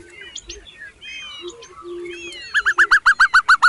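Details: Hungry baby birds calling while their mother feeds them: assorted thin chirps and whistles at first, then a fast run of loud, evenly spaced sharp notes, about four per second, in the last second and a half.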